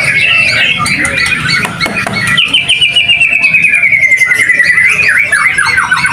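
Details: Captive White-rumped Shama (murai batu) in a loud gacoran singing track after unpacking: varied whistled phrases, a long falling series of clear whistles midway, then fast repeated chip and trill notes, singing steadily throughout.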